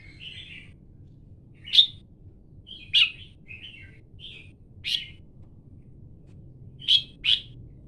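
Red-whiskered Bulbul giving short, sharp chirps and brief warbled phrases, spaced irregularly every second or two, over a quiet low hum.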